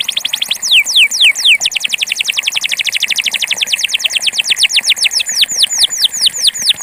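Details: Pure campainha Belgian canary delivering a continuous run of crisp downward whistles, starting slower, speeding into a tight rapid trill, then slowing again into wider sweeping notes.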